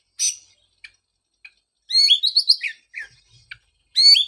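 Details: Oriental magpie-robin song for restarting a moulted bird's singing: a scratchy note, a few faint chips, then a rich warbled phrase of sliding whistles, and another bright phrase at the close.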